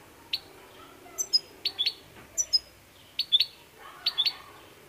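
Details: European goldfinch song: bright, high chirps in small clusters of two or three, scattered over five seconds with short pauses between, against a quiet indoor background.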